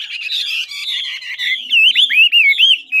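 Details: Ngũ trường hwamei from old forest in Lạng Sơn, singing smoothly: a sustained, wavering whistle gliding slowly downward, then a quick series of loud, looping upslurred notes.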